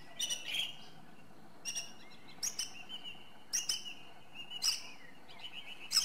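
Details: Singing song thrush (Turdus philomelos): varied, loud, high phrases, often doubled, with drawn-out thin whistles between them and sharp high notes near the end.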